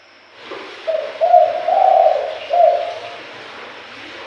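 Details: Spotted dove lure call to attract birds: one soft cooing phrase of several linked hoots, the middle note longest, then a brief final coo, over faint background hiss.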